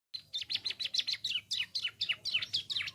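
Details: Bar-winged prinia singing: a rapid chattering series of sharp, high descending chirps, about four or five per second, each note sweeping downward, clear against a quiet background.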